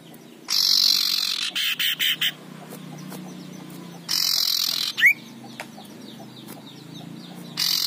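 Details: Aggressive male common iora giving loud harsh rasping calls, locally called ngekrek: a long broadband rattle, then several short choppy bursts, and later another rasp ending in a quick rising whistled note.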